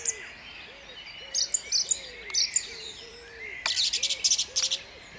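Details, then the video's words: Dawn song of a song thrush at Jabłonna, 29 April 2021: bright chattering phrases in bursts, over a steady series of low, soft hooting notes from another bird repeating about every half second. "Drozd śpiewak śpiewa o świcie"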